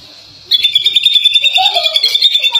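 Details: Greater green leafbird from Indonesia singing a rapid, chattering run of high notes around a sustained bright pitch, with lower warbled phrases mixed in.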